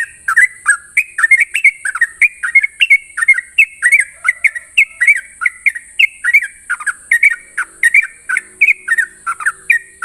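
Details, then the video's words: Continuous ropel song from a Sooty-headed bulbul at dawn hours, rapid bubbling whistles in short slurred couplets repeated steadily for ten seconds, backed by a faint, unchanging high-pitched tone. "Ropelan trucukan gacor terbaik penuh emosi pagi hari"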